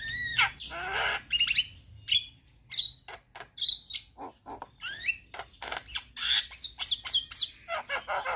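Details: Javan myna (jalak kebo) in lively 'gacor' form, nodding as it sings a 'full isian' song: a rapid jumble of harsh squawks, sharp clicks and brief rising whistles with short pauses, continuing throughout.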